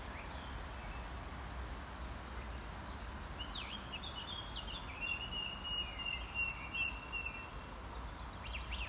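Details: A song thrush sings fairly faint, varied high phrases of whistles and sharp notes alongside a blackcap's warbling at Square de la Butte du Chapeau Rouge, Paris, over a steady low rumble of wind or distant traffic.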